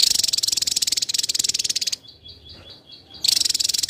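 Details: Javan tesia, a dense-singing bird for competition song training, gives a long rapid buzzy burst of very high chattering notes, then a soft evenly pulsed high tone, then another loud dense burst.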